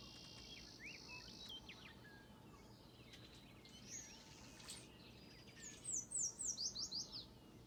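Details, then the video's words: Birds singing in the morning: thin sustained whistles and short slurred notes early on, then a quick run of high sharp chirps near the end, over a steady low rumble of background noise. "Birds singing in the morning."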